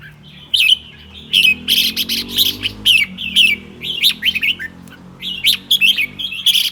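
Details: Red-whiskered bulbul kept in a cage, singing in the morning: a steady stream of loud, clear whistled phrases, each a quick up-and-down warble, separated by short gaps, with sharp clicks between.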